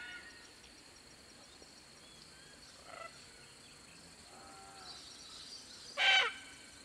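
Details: A red-tailed black cockatoo (Calyptorhynchus banksii) gives one loud, harsh, grating screech near the end, after a few faint distant calls over a soft hiss, in tropical woodland on the Atherton Tablelands, Queensland, Australia. Pacific koel and lorikeets call in the background.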